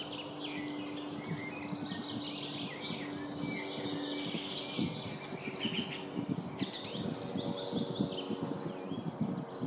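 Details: Song thrush in full song, a busy run of bright chirps, whistles and rapid trills tumbling one after another, with a constant low electrical hum beneath.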